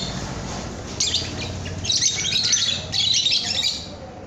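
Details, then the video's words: Young lovebird (paud) song for training cage birds: a low rumbling background at first, then a few seconds of fast, high, scratchy chatter that fades near the end. "Masteran Kicau Burung Lovebird Paud AMPUH"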